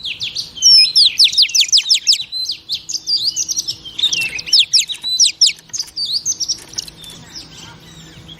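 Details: Oriental magpie-robin female singing to stimulate male birds: long, fast series of sharp whistled and buzzy notes in quick rhythmic runs, easing toward the end.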